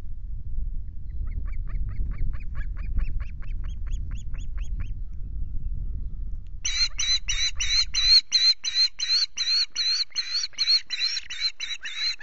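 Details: Osprey at the Loch Garten nest with chicks on 5 July, as the male brings two fish: a run of thin rising chirps over wind rumble, then loud harsh repeated calls, about three per second.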